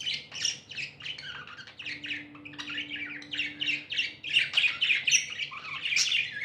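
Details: Happy tame budgies kept as pets chatter almost nonstop, a dense run of buzzy warbling chirps about four per second, with a faint steady low hum underneath for a couple of seconds.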